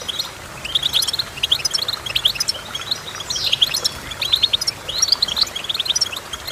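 Goldfinch song: a bright, tinkling twitter of rapid high notes and short trills running almost without a break, with a few sweeping slurred notes mixed in.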